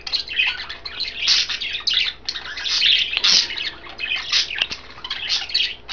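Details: Budgerigar trio, green, blue and white, eating kale in their cage; lively chattering warble of buzzy chirps and squeaks, with a couple of sharp click-like taps midway.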